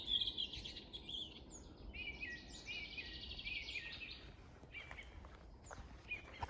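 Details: Several birds sing together at Bornitsky quarry on 1 June 2021. A dense mix of short warbled phrases, upslurred whistles and chirps follows in quick succession over constant low background noise.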